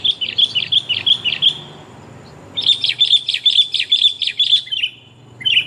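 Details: Female sooty-headed bulbul calling the male, used for luring: a quick string of sharp chirps, a short pause, then a longer, faster burst of bright repeated notes and a final chirp.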